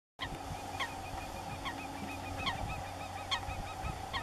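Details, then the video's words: Black-tailed Godwits in a group give nasal, bouncing 'grutto' calls in short bursts about every second, over a steady low rumble of wind or distant traffic. "Grutto, Biru-laut ekor-hitam, in beeld en geluid/Black-tailed Godwit in pictures and sound"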